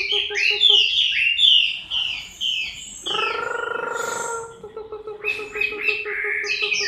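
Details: Chinese hwamei in moult, October 2015, with fluting downslurred whistles, a break filled by a low buzzy droning note, then steady low pulses with renewed whistling above.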